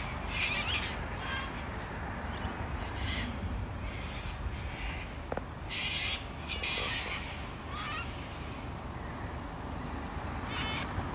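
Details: Wild cockatoos in Australia giving harsh, raspy, broadband screeches, repeated roughly once a second in overlapping bursts, with some louder squawks around the middle, over a constant low rumble of wind or background noise.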